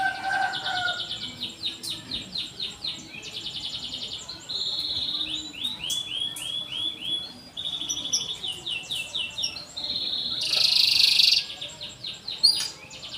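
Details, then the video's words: Long canary song alternating rapid chirp series and steady rolling trills, with a brief burst of broadband noise near the end. "Kenari gacor panjang cuit cuit"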